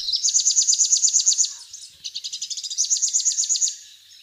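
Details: Rufous-capped warbler (Basileuterus rufifrons) singing: a fast, high chattering trill of repeated bright notes, a short pause, then a second trill with a slightly different note pattern, with no other sounds.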